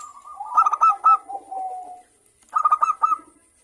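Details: Local zebra doves calling back and forth, used as a lure to get other birds singing: a soft low coo, then a rapid burst of bright staccato notes that slides into a long falling coo, with a second burst after a short pause.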